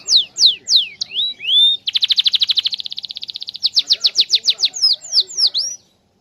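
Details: Lure canary song meant to make other canaries reply: loud falling whistles, then a dense buzzy trill, quickening repeated notes and a few swooping whistles before silence.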